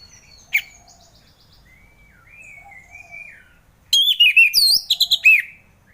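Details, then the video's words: Orange-headed thrush song used as morning therapy to coax caged thrushes reluctant to sing: a faint thin whistled phrase, then a loud burst of rapid rich whistled notes, slurred and varied, repeated in quick succession. "Kicauan Anis Merah || Ngeplong Santai"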